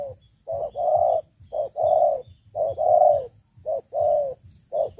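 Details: Decoy spotted dove kept for trapping wild doves and praised for its big voice, cooing steadily: short clipped note followed by a longer mellow coo, the pairing repeated about once a second, loud and close.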